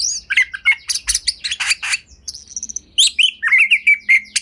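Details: Home-kept kacer, the Oriental magpie-robin, in energetic ngobra song used to stir other birds into singing; rough chattering bursts, a short high trill, then a series of clear steady whistled notes.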